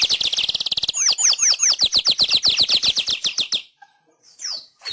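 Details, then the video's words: Weaver song used as a master recording for training pet birds: a fast, even run of high chattering notes, then a string of repeated sweeping whistles, each falling and rising, ending in a pause and a few scattered chips. "Masteran Suara Burung Manyar"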